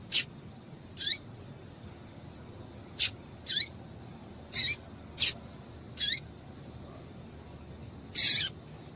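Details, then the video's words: Calls of a female double-collared seedeater, meant to excite males into singing: roughly nine brief, high, downward-sliding chips spaced about a second apart, some doubled, against a quiet hissing background. "Piado de Fêmea de Papa capim Para Esquentar Papacapim"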